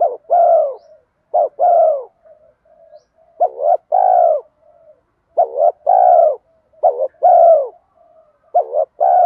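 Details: Rapid 'thúc gù kèm mắt me' cooing from a bronze-voiced spotted dove used to call in wild doves. Repeated low two-part coos follow each other closely, with faint soft notes filling the gaps.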